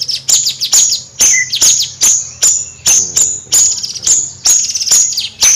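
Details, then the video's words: Energetic nyrecet song of a Bayeman bird: loud high-pitched clicks repeated over two per second, mixed with quick falling trills and chattering bursts, with faint low hum underneath. "Suara Kicau Bayeman Nyrecet Gacor Kicau Bayeman Siri Siri...!!"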